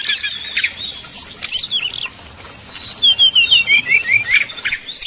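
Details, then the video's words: Fluting song of a brown-chested jungle flycatcher, meant to rile rivals into singing; long high sweeping whistle with looping slurred notes, ending in a run of short rising chirps. "srdc nyuling bikin lawan jadi panas penuh emosi pancingan srdc tercepat bikin srdc cepat ngeplong"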